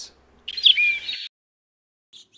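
A Purple Finch gives a brief, bright whistled note lasting under a second, with a faint chip at the start and a soft trailing sound.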